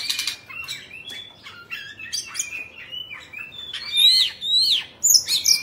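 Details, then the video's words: A 'Bạch Bạng' Oriental magpie-robin, a caged songbird, sings during a tail-fanning display. Softer varied warbles at first grow into loud rising whistles and sharp high chips toward the end. "Choè Than Bạch Bạng Hót Múa Xoè"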